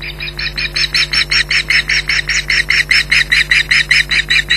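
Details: Female osprey at Loch Garten on 15 July 2011, calling vociferously to defend her nest and young from a returning intruder: a fast, steady series of piercing, whistled yelps, about two or three per second, over a low steady hum.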